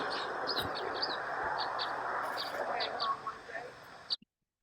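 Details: Type 3 Red Crossbill flight calls, short high dry kip notes, about a dozen in four seconds, over a steady wash of background noise, recorded at a park basketball court in the Antelope Valley, Southern California.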